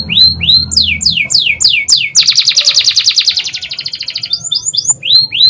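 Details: Long, energetic canary song: quick descending whistles at the start, then a dense, fast buzzy trill lasting about two seconds, ending in more bright downward-slurred notes; low background hum.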